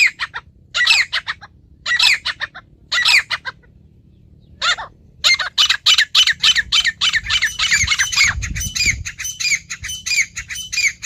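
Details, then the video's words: Natural call of a wild female partridge: a few short harsh squawky bursts, then a dense run of rapid rasping notes. Faint low rumble underneath. "مادہ تیتر کی قدرتی پکار"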